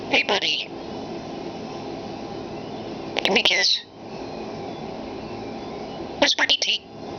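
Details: Talking common starling kept indoors, mimicking human speech: three short bursts of rapid buzzy, crackling chatter with whistled squeaks, spaced about three seconds apart, with quiet room hum between.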